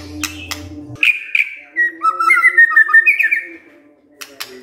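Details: White-rumped shama, provoked by a lure recording, delivers a string of clear whistled notes wavering up and down at a quick pace, between clicks and a low steady hum.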